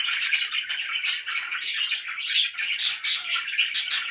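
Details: Happy pet budgerigars twitter busily; over a constant warbling background, a string of sharp, high chirps rings out roughly twice a second toward the end.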